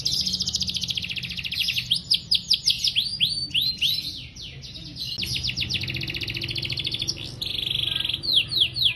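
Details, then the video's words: Canary song used as a master recording for training young canaries and those that have stopped singing: long continuous run of rapid high trills, buzzy rolls and swooping whistled notes, changing phrase every second or two, with faint low hum beneath. "Masteran Kenari GACOR Durasi Panjang‼️ COCOK untuk Pancingan Kenari PAUD dan Kenari MACET BUNYI"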